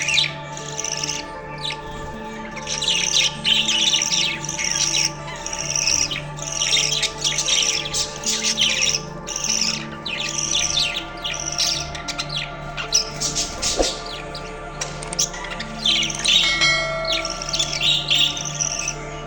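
Budgerigars chatter in a busy flock, with rapid high warbles, chirps and squeaky notes overlapping.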